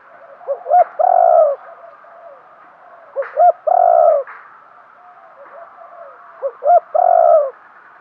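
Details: Decoy spotted dove cooing to entice wild birds: three loud phrases about three seconds apart, each with two quick rising notes and then a long, full coo, over soft background cooing.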